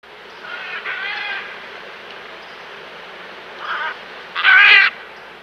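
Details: Great green macaws, an endangered species, feeding in the wild in Costa Rica: harsh, raspy squawks in short bursts, one faint, one mid-strength and one loud grating call near the end.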